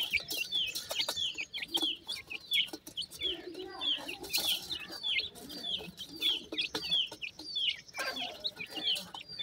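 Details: Several dakhni teetar chicks feeding happily, a steady stream of high, sharp downslurred cheeps, dense and irregular, with scratching and pecking sounds underneath.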